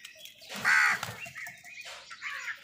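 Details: Crow fighting with wild birds for food gives one loud, harsh caw, followed by fainter rough calls and a brief chirp, with rustling and flapping in the background.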